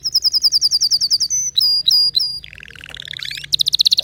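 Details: Singing canary, noted for special notes, delivering a rapid string of bright repeated chips, several loud drawn whistles, a lower rattling trill, then a quick high pulsed trill.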